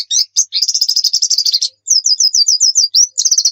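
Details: Dense high twittering from a white-eye (pleci), first a rapid buzzy trill, then a neat series of about nine evenly spaced, downslurred high chirps.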